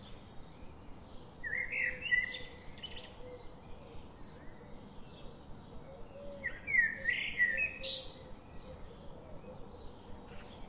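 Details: A bird feeding its chicks and protecting them. Two short bursts of high, thin chirps come about five seconds apart over steady background noise.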